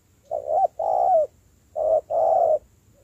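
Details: Spotted dove being trained from wild-caught bird into a decoy, giving two mellow coo phrases, each a brief note then a long, steady, slightly falling coo.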